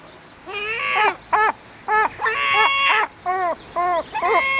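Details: Herring gull in its breeding colony giving a series of short, arched, nasal call notes, some run together and others clipped, in uneven bursts over about five seconds.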